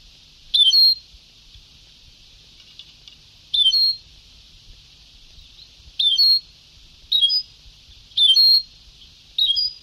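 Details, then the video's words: Old Sebtaoui-style song tape of a European goldfinch: six brief sharp twittered phrases spaced one to three seconds apart, each with a sweeping slurred note, set against constant high-pitched hiss. "Canto del jilguero antiguo شريط تغريد سبتاوي قدييييييم"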